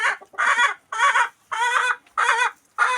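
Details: Loud chicken clucks from a farm, five harsh, nasal bursts spaced roughly half a second apart, each rising slightly and then breaking off abruptly.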